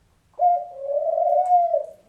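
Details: A female African dove gives a single long, soft, hollow coo, held on one low pitch for about a second and a half before gently falling away, in a quiet room.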